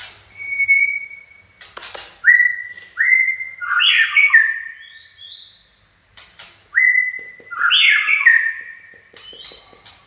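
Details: Song of a white-rumped shama performing 'chạy cầu': a long steady whistle, then sliding whistles and a dense warbled burst, pausing and repeating, with faint clicks in the background.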